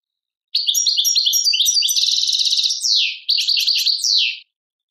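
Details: European goldfinch from Tadmait, Algeria, singing a clean, high twittering phrase of quick varied notes, then a buzzy trilled stretch and sweeping slurred notes. The song breaks briefly and ends abruptly with silence around it.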